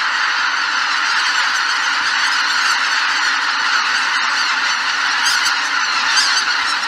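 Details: Greater white-fronted geese lifting off from their roost at Miyajima-numa in 2023; a loud chorus of many nasal, yelping honks overlaps continuously, with higher squeaky notes rising above the mass near the end.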